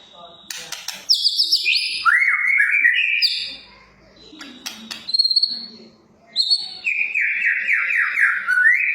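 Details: Energetic song of a Medan-type White-rumped shama, rich in mimicry and played to make other shamas sing: sharp clicks, high whistled phrases, a fast trilled run, a pause, then a long rapid warbling series.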